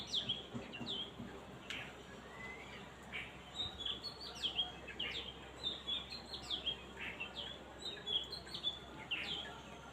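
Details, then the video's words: Small birds chirping: quick, high, sharp tweets repeated in a busy irregular stream, several overlapping notes each second, with faint low background hum. "cute chirping sound of birds"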